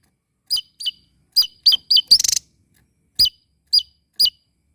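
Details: Small bird chattering loudly while dancing: crisp, sharply falling chirps in quick succession, broken by one short stuttering buzzy burst, then three more spaced chirps.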